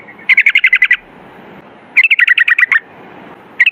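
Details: Yellow-vented bulbul (trucukan) singing in the rapid rolling 'ropel' style: three bursts of fast, evenly spaced bright notes around a steady pitch. Each burst lasts about half a second to a second, with quiet gaps between them.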